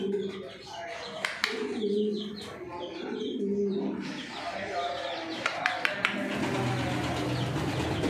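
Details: Racing Homer pigeons at a pigeon farm in Thoothukudi, Tamil Nadu, coo together in low, throaty, overlapping rolls, with sharp clicks and bumps and a faint voice in the background.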